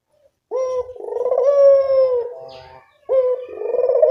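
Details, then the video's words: Barbary dove calling as a lure to attract birds: a long, low, purring coo with a short rising start, held about two seconds before fading, then a second coo begins and is cut off. "Pancingan burung puter"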